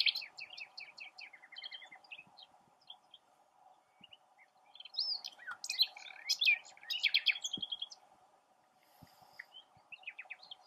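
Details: Singing nightingale perched in a tamarisk: a rapid string of repeated high notes, then dense, jumbled twittering phrases and softer scattered notes, over a constant low hum.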